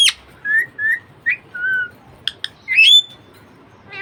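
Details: Pet budgerigar (budgie parakeet) giving a series of short warbled chirps around mid-high pitch, then a louder rising squawk-whistle and a final burst of fine rapid ticking; quiet indoor background.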